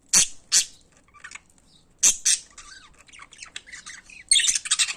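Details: Loud pet budgerigars: two pairs of sharp, explosive squawks a couple of seconds apart, with soft twittering warbles between and a final burst of dense, harsh chatter.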